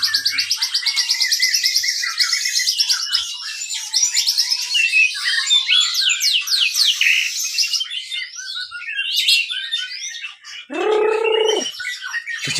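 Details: White-rumped shama kept in a breeding aviary, singing to lure and stimulate other birds: fast, varied high warbling and chattering phrases, then a lower harsh buzzy note near the end.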